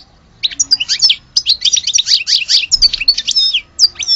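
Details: Algerian-type European goldfinch in song: a rapid stream of high, twittering notes and sliding chirps, nearly unbroken for over three seconds after a short quiet start.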